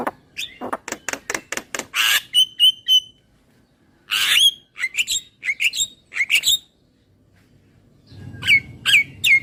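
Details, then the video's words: Asian pied starling, a bird kept for song therapy training, giving a fast series of harsh clicking notes followed by clear whistled upslurs around the middle, then more rattling bursts and whistles at the end. "Suara Jalak Kebo Terapi Biar Semakin GACOR"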